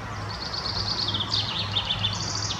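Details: A treecreeper, either short-toed or Eurasian, in Munich's Botanical Garden gives thin, very high, sibilant notes in quick runs over a steady low background hum.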